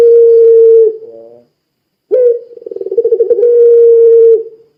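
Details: Puter pelung Barbary dove calling to prompt other doves: a held coo ends in a short buzzy note, silence follows, then an abrupt hoot, swelling rapid pulses and another long, level coo fading out.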